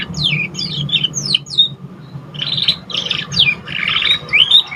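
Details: Young canary just learning to sing, recorded as a lure to stimulate other birds: bright high twittering phrases with quick falling and rising whistled sweeps, a short pause midway, then buzzy trills, over a steady low hum.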